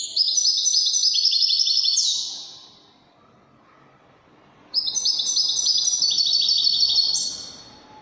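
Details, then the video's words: European goldfinch in Moroccan Widani song, giving two rapid, high-pitched chattering phrases of about two seconds each, each ending in a downward sweep, with a quiet gap between them. "الحسون الويداني الملك الذي يستحق استماع وتمتع في ادائه في التغاريد الويدانية المغربية"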